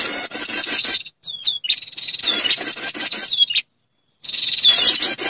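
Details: Female prinia lure call meant to draw in males: bursts of rapid high trilling alternate with drawn-out whistles and sudden silent gaps, repeated in three bouts.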